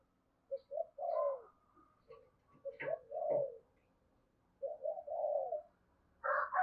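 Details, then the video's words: Spotted dove decoy bird cooing to lure and provoke wild doves: soft, low, falling coo notes in short groups with pauses between them, plus a few faint clicks. "Tiếng Chim Cu Gáy Kích Bổi Nhanh nổi Hiệu Quả #5 || Chim Cu Gáy Mồi"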